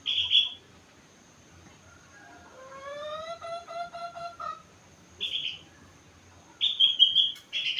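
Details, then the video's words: Sooty-headed bulbul aged four months singing imitations of rengganis and cucak wilis: high, harsh, bright bursts around a series of rising, whistled notes climbing step by step. "Burung Kutilang gacor isi rengganis cucak wilis"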